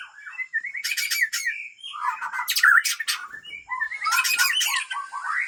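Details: White-rumped shama breeding bird from Lamteuba, Aceh, gives harsh rattling bursts mixed with clear whistled notes. The bursts come in three loud clusters about two seconds apart.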